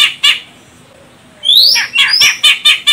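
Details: Medan, Sumatra female grey-cheeked bulbul calling to provoke a male into singing: two harsh raspy notes, then rising whistled slurs overlapping a run of short, harsh chattering notes.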